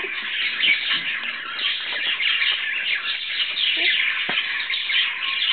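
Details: A budgerigar pair with their two newborn chicks, one and three days old, in a dimly lit nest. They keep up a dense, continuous chatter of high, scratchy chirps and squawks, with low clicks and knocks.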